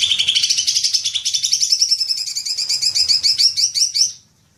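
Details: Green magpie lure sound used to set off long chattering: one continuous rapid chatter of rattling notes, rising slightly in pitch over about four seconds, then stopping abruptly.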